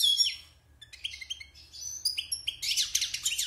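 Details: European goldfinch taken from the wild and kept caged six months, singing after moulting: a long descending whistle, then varied tinkling twitters building into a dense, buzzy, rapid high-pitched flourish.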